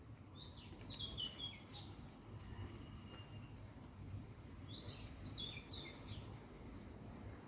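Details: Wild birds outside by a fruiting olive tree in Thailand, before a storm; two bursts of high twittering chirps about four seconds apart over a low rumble of wind and distant traffic.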